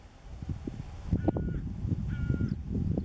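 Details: Hooded crow (Corvus cornix) in Cyprus giving two drawn-out, nasal, level caws about a second apart, over steady low rumbling wind noise.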